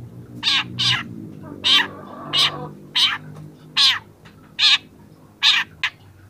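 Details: Young long-tailed shrike, recorded for training, delivering loud harsh notes about once a second. Some notes are buzzy, others raspy and chattering, over a faint steady background drone.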